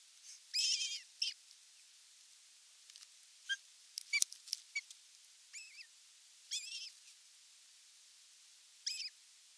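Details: Osprey at its nest during evening feeding on 30 June 2022: short, arched, chirping calls with bright overtones, given singly and in brief bursts over several seconds, with faint clicks and taps between them against a steady hiss.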